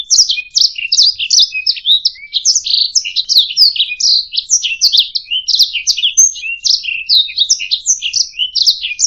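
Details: Canary song recorded as a master track for training other songbirds: a continuous fast warble of sweet, slurred chirps and trills, each note sweeping up or down, with brief higher whistled notes, no pauses, background clean and quiet.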